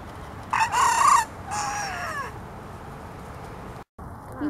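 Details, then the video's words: Bantam rooster crowing while wearing a no-crow collar, a double-sided velcro strap. One crow in two parts: a loud, bright, harmonic opening burst, then a quieter, drawn-out tail sliding downward. Background hiss and a brief dropout follow. "Rooster crowing with no-crow collar"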